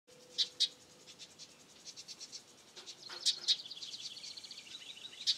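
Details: Baby house wrens giving thin, very high chirps in short bursts, with sharp loud notes near the start and end, and softer rapid ticking in between over a quiet background.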